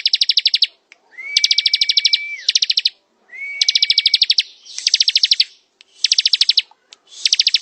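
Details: Ciblek, the bar-winged prinia, in ngebren song: rapid rattling trains of high clipped notes in repeated bursts with short gaps, a level sustained whistle running under two of the bursts.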